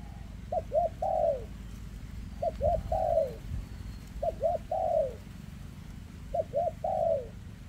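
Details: Spotted dove, a 2024 bird with trembling legs, cooing in the heavy rước style. Four evenly spaced phrases roughly every two seconds, each two brief rising-falling coos and a prolonged downward coo, low rumbling background.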